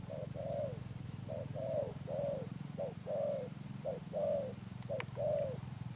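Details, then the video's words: Wild-caught spotted dove delivering Sấm Thổ coos, about six double phrases, each a quick soft note then a longer wavering coo, spaced about a second apart above a constant low droning background. "Thúc Đồng Pha Sấm, Gù Âm Sấm Thổ, Bổi tướng bồ câu"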